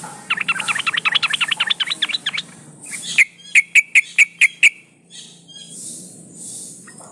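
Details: Female yellow-vented bulbul in breeding condition calling males, used as a lure: fast bubbling chatter, then six loud, sharp ringing chips spaced evenly about a fifth of a second apart.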